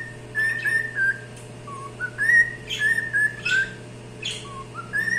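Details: Singing cockatiel giving a series of whistled notes that rise and hold, with some dipping lower notes. A few short harsh chirps are mixed in, over a constant low electrical hum.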